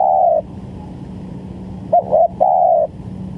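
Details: Spotted dove cooing, played as trapping bait. One drawn-out low coo ends, then a quick doubled note leads into another long, even coo. Faint background hum.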